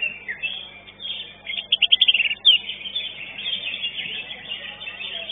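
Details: Greater green leafbird singing in a songbird contest at Legok Permai, where it took second place; a burst of rapid high chirps around two seconds stands out over a dense, continuous chatter of other contest birds.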